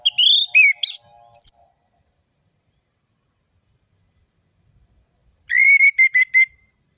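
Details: Orange-headed thrush lure song for birds that will not sing: a burst of sharp whistled notes, a thin high whistle, several seconds of silence, then a fast series of about six clipped whistles.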